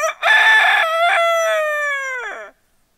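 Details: Rooster crowing, offered as a wake-up alarm: one long crow opening with two short choppy notes, then a sustained, slightly falling harmonic note lasting about two seconds before dropping off, followed by silence.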